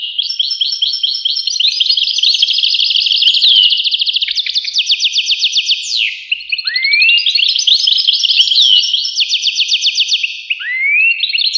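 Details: Long goldfinch song of bubbling, tinkling twitters broken by a few rising and falling whistled slides, then returning to rapid jingling phrases; clean recording.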